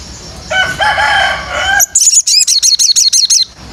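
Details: White-rumped shama training material: a harsher, lower, harmonic rasping sound comes first, then the bird fires a fast series of sharp, high, repeated chirping notes, roughly six per second.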